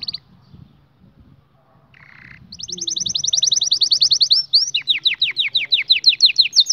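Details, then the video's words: After quiet low background and a short buzzy note, a canary launches into loud rapid trills of repeated notes, then a run of sharp downslurred whistles repeated several times a second. "هل لديك كناري لايغرد"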